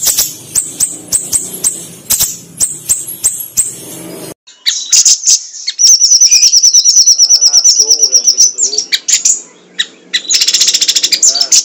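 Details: Sunda pygmy woodpecker calling in a long training recording played to stimulate other birds. Rapid, regular high ticks lead into a gap, then a sustained shrill trill and fast repeated chattering notes.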